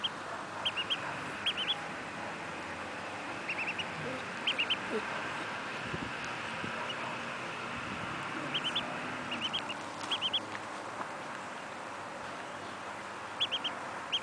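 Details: An abandoned female mallard duckling, found alone and shivering near ponds and cared for at home, gives high, thin peeps in quick pairs and triplets, repeated every second or two.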